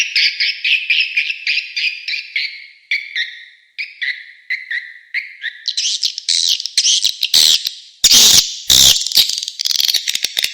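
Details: Edible-nest swiftlet lure call played from outside to draw swiftlets in: dense chattering, buzzy chirps in fast irregular series, later broken by sharp crackling clicks and bursts.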